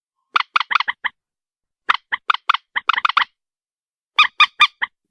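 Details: White-breasted waterhen uttering quick, stuttering series of short honking notes, some run together and others evenly spaced, in three bursts across five seconds.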